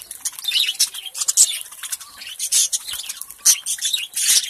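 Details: Lovebirds in India eating and playing with each other; a dense, busy stream of harsh squawks and shrill, high chirps overlapping almost without pause, with short louder bursts every second or so.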